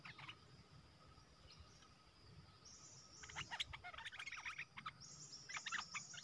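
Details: Caged red-whiskered bulbul used to lure wild birds, 12 September 2021; after a quiet start, clusters of bright, quick chirping notes come in two bursts, with a thin high background whine.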